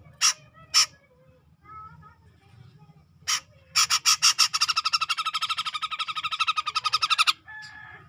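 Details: Black-crested bulbul from the tropical forest of Sumatra, near Medan, singing: a few sharp separate notes, then a long fast run of rapid repeated bright chattering notes for about three seconds, ending abruptly; low rumbling background.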